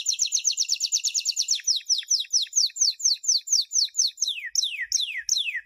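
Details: Champion canary song meant to teach young birds: a fast even trill that slows into steady downward-slurred notes, repeated about twice per second, with a few longer swoops at the end.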